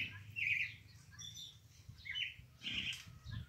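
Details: Sabiá-coca, the pale-breasted thrush, gives a few brief warbled phrases separated by short gaps, with a soft low rumble in the background.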